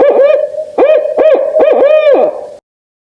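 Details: Barred owl hooting: three quick clusters of low, bouncing hoots, each dipping and rising, spaced under a second apart, ending abruptly in silence.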